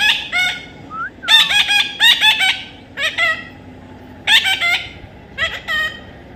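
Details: Young parrot giving repeated buzzy squawks in fast runs, with a short rising whistled note between bursts and clipped single cries.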